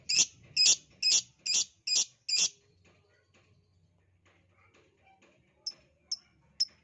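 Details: Lovebird lure call meant to make lovebirds sing: six loud, shrill high chirps in quick regular succession, then a pause with faint room hum, and three softer sharp chirps at the end.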